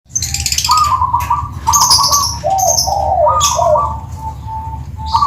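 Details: Perkutut (zebra dove) of the Tuban type with a 'kristal' voice, giving gurgling, trilled coos in low rolling phrases, some stepping downward, while sharp high chirps from other birds break in above.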